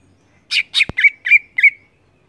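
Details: A captive greater green leafbird (Chloropsis sonnerati), a strong singer used to stimulate other leafbirds, gives five loud, harsh, squawking song notes in quick succession over about a second, broken by one sharp click.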